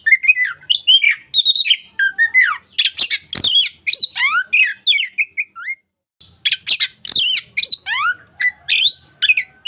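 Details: Local white-rumped shama in full, energetic song used as a daily training model: loud varied phrases of sharp whistles, steep downward slurs and harsh buzzy notes in rapid bursts, with one short pause midway.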